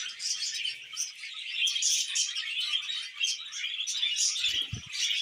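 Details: Budgerigars in mating and breeding time: busy, unbroken warbling with quick chirps and squeaks rising and falling in bursts, and a short knock near the close.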